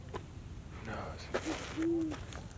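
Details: A Great Horned Owl perched on top of a tree in Griffith Park gives low, soft hoots, a short note then a longer drawn-out one, while people talk quietly nearby.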